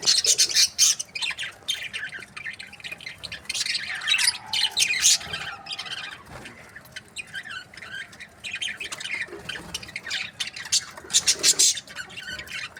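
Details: Budgerigars in breeding pairs chirp and squawk in irregular clusters, loud grating bursts alternating with quieter stretches of soft chatter.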